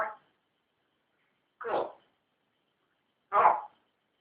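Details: Pet African grey parrot, recently acquired, producing three short, loud, speech-like utterances about one and a half seconds apart, with silence between them.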